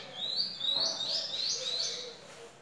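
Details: Home-kept master-singer lesser goldfinch giving a short burst of rising whistled slurs and quick chattering twitters in a high, bright run.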